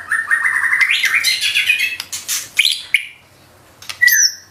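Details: White-rumped shama in energetic 'nembak' song with 'isian' fillers: a rapid, rising chattering warble with harsh buzzy notes, a short pause, then a few clear high whistles.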